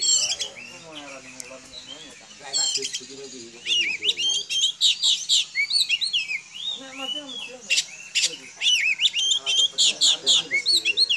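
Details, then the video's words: Home-kept village Oriental magpie-robin singing to make other magpie-robins answer: a rapid, varied stream of high chirps, slurred whistles and sharp notes, tumbling in quick bursts, with a faint murmur of voices early on. "Kicau kacer, dijamin kacer lain bakal nyaut"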